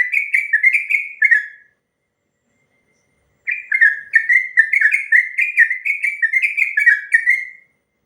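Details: Long rolling song of a yellow-vented bulbul (trucuk ropel panjang), a master recording for other birds: a quick burst of bubbling whistled notes, then about two seconds of quiet, then a longer rapid run of about four seconds.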